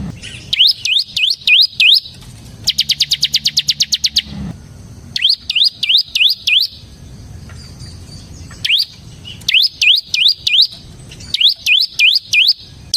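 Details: Bar-winged prinia, ciblek semi, singing for luring and training ciblek: repeated groups of rising whistled notes broken by one fast trill of high chips, with short quiet gaps between groups.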